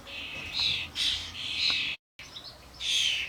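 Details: Common starlings (Sturnus vulgaris) at a garden feeder, adults with fledglings among many birds, camcorder recording: five hoarse, hissing squawks, interrupted by a brief moment of total silence before the last calls.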